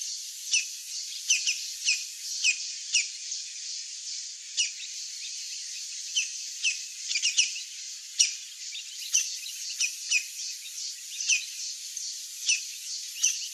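Campo Flicker giving sharp, high, downslurred notes at an uneven pace, roughly one or two per second, over a steady high insect-like hiss.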